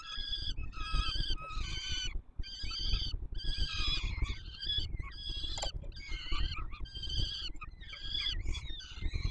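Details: Peregrine falcon chicks begging while being fed by an adult at the Palace of Culture and Science nest in Warsaw, 7 July 2022: harsh, drawn-out wailing calls repeated nearly without pause, over steady low rumbling background noise.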